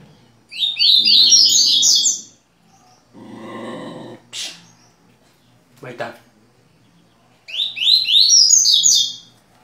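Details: A pair of double-collared seedeaters kept indoors in Rio de Janeiro, Brazil, gives two bursts of fast, high, tumbling chirps about two seconds long, with brief muffled talking and a couple of clicks between.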